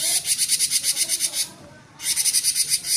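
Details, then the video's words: Cinereous tit in 'gacor konslet' song: a quick train of shrill, scratchy notes for about a second and a half, a half-second pause, then the same rapid raspy series resumes. "Burung Gelatik Batu gacor konslet"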